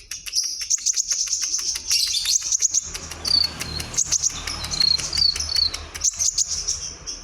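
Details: Energetic song of a Kalimantan white-rumped shama: rapid chattering clicks giving way to clear, high whistled phrases and quick trills that run on continuously, with faint low background noise.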